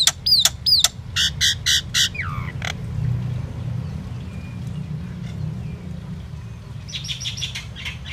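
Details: Indian myna song: quick sharp whistles and harsh squawking notes in a burst, then a falling slurred squeal, a quiet stretch with low background hum, and a closing series of shrill chattering notes.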